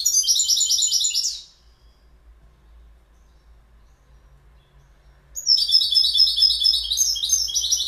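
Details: Rapid twittering goldfinch song in two bursts separated by a few seconds of quiet, each a dense run of high, tinkling, buzzy-edged notes.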